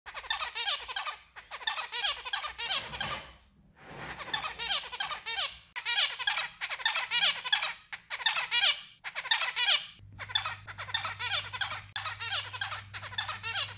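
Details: White zebra finch singing indoors, likely caged: dense buzzy, nasal phrases in short bursts of about a second, separated by brief pauses, repeated throughout; a low steady hum underlies the second half.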